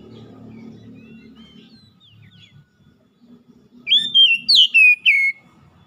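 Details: Oriental magpie-robin song intended to stimulate a stressed bird that has stopped singing: faint soft notes over low background noise, then a loud burst of five quick, sweeping whistles near the end.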